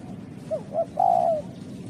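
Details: Spotted dove, known locally as terkukur, giving a short coo phrase: two brief low notes followed by a longer drawn-out coo that falls slightly at the end, over steady low background hum.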